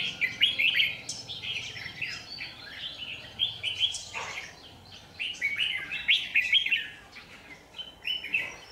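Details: Trap lure Red-whiskered bulbul, 27 January 2019, pouring out a lively run of chirpy warbled phrases, short notes repeated several times per second with brief pauses, one sharp downward sweep near the middle.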